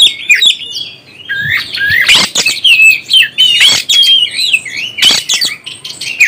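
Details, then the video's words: Lively oriental magpie-robin song meant to excite other birds, packed with fast warbles, rising and falling whistles and abrupt clicking notes, delivered almost without pause. "NAIKAN EMOSI BURUNG KACER ANDA"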